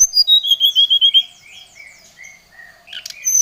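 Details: Oriental magpie-robin calling out a rival: a rapid string of repeated whistled notes, about eight in a second, then slower sliding whistles and a final chirp.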